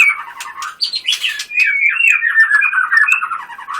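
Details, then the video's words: White-rumped shama singing busy chattering phrases with rapid repeated trill notes and swooping whistles, barely pausing. "Murai batu gacor full tembakan"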